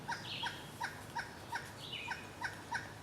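A Pileated woodpecker gives a steady series of loud, ringing wuk notes, about three per second, while another bird adds two higher slurred notes.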